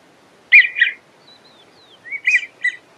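American wigeon giving breathy, wheezy whistled notes in two short bursts about one and a half seconds apart, with faint thin whistles between them.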